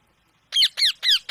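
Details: Indian parrot in a small indoor room, giving four harsh, screechy squawks in quick succession, each with a sharp downward sweep, about one every quarter second after a brief silence.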